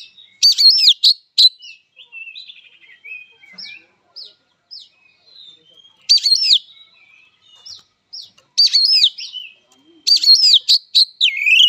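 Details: Oriental magpie-robin, kacer, giving its fighting song in Indonesia: bursts of loud, sharp whistled notes with rising and falling slurs and rapid chattering trills, separated by softer scratchy twitters and brief pauses.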